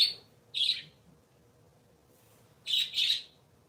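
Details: Sunday-morning chatter from three pet parakeets: a clipped high chirp, a second right after, then a gap of almost two seconds before a doubled chirp pair, all over a low steady hum.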